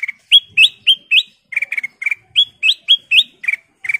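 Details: Kutilang emas bulbul, golden in colour, singing continuously: steady alternation of upswept whistled notes and buzzy doubled chirps, close to four per second with short even gaps.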